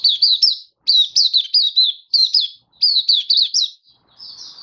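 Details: Oriental white-eye giving a happy open 'buka' song display, 24 February 2023: clipped, high, warbling chirps in tight clusters of three to five, each note swooping, pauses under a second between bursts and a softer trailing note at the end.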